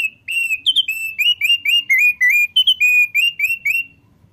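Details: A male thick-billed white-eye, described as singing frequently, pours out a lively, unbroken series of clear whistled notes, rising and falling, roughly four per second, with one higher-pitched pair near the start.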